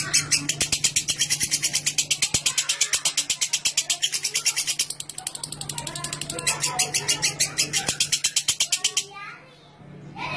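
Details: Lovebird giving clear ngekek song, a recording meant to prompt other lovebirds to ngekek longer: fast, shrill, even chattering pulses, about three per second, running for nine seconds before stopping abruptly, over a low steady hum.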